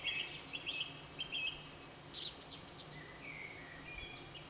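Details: Dawn song of a song thrush: short whistled notes repeated several times, then a burst of sharp high squeaky notes and softer fluting phrases, over steady background noise.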